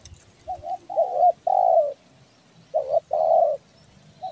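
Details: Spotted dove, tekukur belah dada from Kepri, vigorous lure calling: a soft short coo, a wavering coo and a long coo, then a paired coo with another long coo, in a quiet setting.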